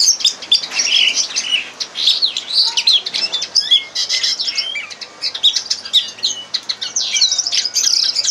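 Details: Red crossbill tutor song for captive training: rapid, high, twittering chatter of sharp chips and thin downslurred whistles running almost without pause.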